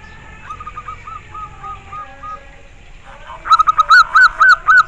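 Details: Local zebra dove cooing: a faint series of quick repeated notes first, then louder clear rounded coos, each rising and falling, roughly four per second.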